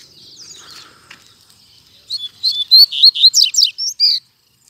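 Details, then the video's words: Double-collared seedeater singing loudly in a town square. A faint murmur is followed by a rapid run of about ten bright, high notes, some rising and some dropping sharply, ending in a clear whistle. "Coleiro Batendo Forte - Solto Na Praça!!!"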